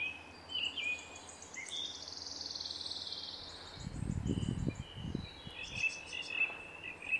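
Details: A red-crested cotinga at Laguna Corani, Cochabamba, Bolivia, in April 2023, utters a long, coarse, pulsed buzz early on. Brief high chirps from other birds and a burst of low rumbling noise follow.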